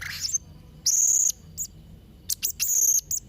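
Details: Serindit trotol, the blue-crowned hanging parrot, singing actively as a model for young birds: long piercing high whistled shrieks broken by short thin chips, all very high and shrill.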